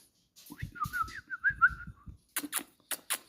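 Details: Parrot giving a wavering, warbled whistle of quick rising and falling notes at mid pitch for about a second and a half, over low thumping knocks, followed by several sharp broadband clicks or taps.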